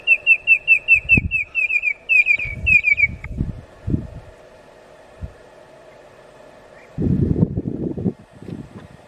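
Red-crested korhaan giving a quick run of high, piping whistled notes, about three a second for three seconds. Low rumbling thumps of wind follow.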